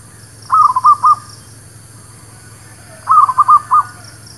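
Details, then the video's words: ['Zebra dove (local merbuk kampung, perkutut lokal) song used as a lure for trapping and for new birds: two short phrases of four quick, bubbling cooing notes, about 2.5 seconds apart, over a steady low hum.'] "SUARA PANCINGAN MERBUK KAMPUNG / PERKUTUT LOKAL...UNTUK PIKAT DAN BURUNG BARU"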